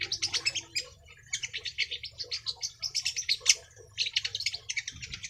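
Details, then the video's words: Young long-tailed shrike singing hard, unloading its repertoire: fast strings of sharp, high chattering notes in dense bursts, a brief pause, then another rapid run of scratchy chirps over a faint low hum. "BURUNG CENDET/PENTET MUDA NGOTOT BONGKAR ISIAN"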